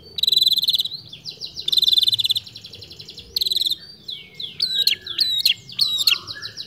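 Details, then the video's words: Long-tailed shrike in rich imitative song: three loud buzzy rattling bursts, followed by a string of quick high whistles swooping downward, singing continuously and evenly. "Cendet gacor menirukan suara burung dengan teratur tanpa putus"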